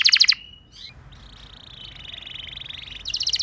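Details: Canary lure song for making other canaries sing: a short bright rattle, a near-silent gap, then a soft sustained buzzy roll ending in another loud rattling trill.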